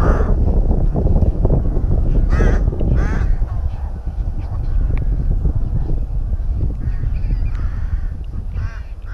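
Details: At a rook nest in the Tyrnovo colony, a pair of loud nasal, arching caws, then softer scattered calls further off, all over heavy low-pitched wind noise.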